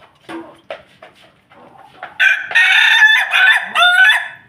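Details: Ayam Ketawa rooster kept with a family of Pelung chickens crows loudly in a long, harsh, stuttering phrase after a few soft clucks from the flock.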